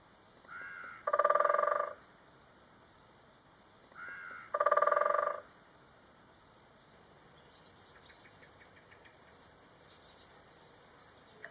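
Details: Great spotted woodpecker drumming, recorded from a wildlife hide in Galdames, Bizkaia: two ringing, resonant rolls of rapid knocks, each about a second long and preceded by a fainter short roll, then quiet with faint high bird chirps.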